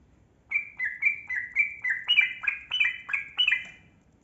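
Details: Trucukan, the yellow-vented bulbul, in a fast bubbly 'gacor' song used to spur lazy birds to call; about a dozen liquid, downslurred notes chained quickly together, growing slightly louder midway.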